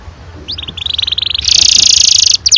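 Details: Canary rolling song, ngerol panjang, used to get young canaries singing: a quick whistle, then a buzzy trill that rises into a dense, bright, sustained roll, cut off near the end.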